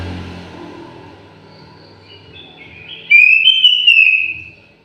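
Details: Faint background rumble gives way to one clear, melodious whistled phrase from an aviary orange-headed thrush, gliding and fading in the last seconds.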